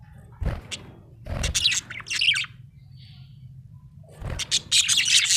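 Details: Chattering small parrot: clusters of scratchy high chirps broken by soft low thuds, with a faint distant whistle in the quiet middle stretch.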